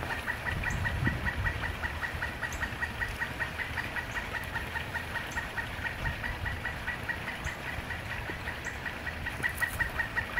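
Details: Pileated woodpecker in a backyard where it nests in tree holes and calls about twice a day, especially in the evening: a long, steady series of hollow wuk notes, two to three per second, over low background rumble.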